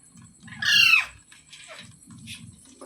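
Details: One harsh, harmonic parrot screech that sweeps downward, set against a low pulsing rumble of background noise, with faint softer calls afterward.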